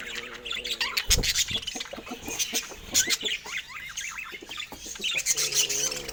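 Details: Rare budgerigars, several birds together in natural Scandinavian light, with no speech or music: dense high chirps, squawks and rapid warbled twitters overlapping almost continuously, with a sharper burst near the one-second mark and a faint low hum beneath.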